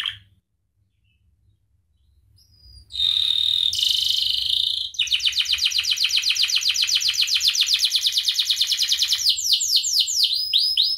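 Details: Canary training song for teaching other birds: after near silence, a steady high buzzy tone, then a long rapid pulsing trill, finishing with quick descending whistled notes.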